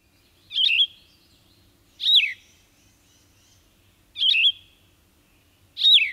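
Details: Yellow-throated vireo singing short, husky, burry phrases, each about a third of a second, with pauses of one to two seconds between them; the song is like a red-eyed vireo's but huskier and rough-edged.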